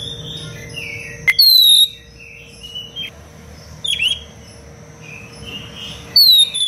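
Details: Dense-style Oriental magpie-robin song for teaching other birds to sing: loud clear whistled phrases with sharp clicks appear about every two to three seconds, separated by quieter soft warbles, over a constant low hum.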